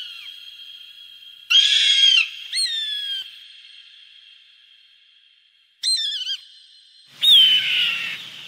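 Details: Used for scaring birds away, a hawk gives four shrill descending cries spaced over eight seconds. They alternate between harsh rasping screams and clearer whistled slurs, joined by a faint lingering ring.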